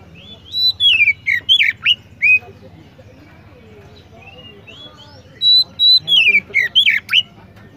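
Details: Oriental magpie-robin song in two bursts of varied whistles, long level notes followed by quick rising and falling slurs, separated by a few quiet seconds with only a soft low hum.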